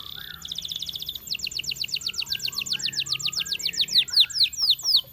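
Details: Canary from a champion singing. A short buzzy roll leads into a long series of rapid, evenly repeated bright notes that become louder, downward-swooping whistles. Soft low chirps sound in the background.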